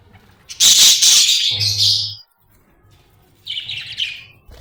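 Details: Budgerigar described as happy, chirping: a dense burst of bright, scratchy high warbling chatter for about one and a half seconds, a pause, then a shorter softer chattering burst, with a brief low hum.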